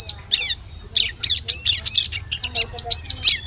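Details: Bar-winged prinia, a lure recording for attracting birds in forest: rapid run of sharp, high, arched chirps, several each second, with scratchy notes between and a constant high-pitched whine behind.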